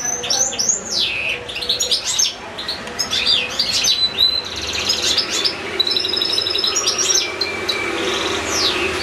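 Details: European goldfinch singing at length in a cage, housed with another goldfinch and two young goldfinch-canary hybrids: looping whistled glides, sharp chips and liquid trills in lively rambling phrases, almost without pause.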